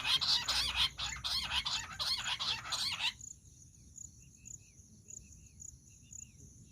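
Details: Jungle bush quail calls, used as a hunting lure: a loud, dense burst of rapid, repeated high chattering notes for about three seconds, then near silence with faint distant chirps and a steady high hiss.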